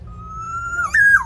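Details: Black-naped oriole from Java singing vigorously, meant to coax reluctant pet orioles into song: a long pure whistle creeping upward for nearly a second, a brief dip, then a higher held note falling away.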